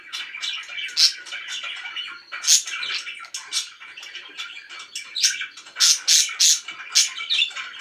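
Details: Loud pet budgerigars keep up a busy, scratchy twitter punctuated by sharp high chirps, which come in quick clusters near the end.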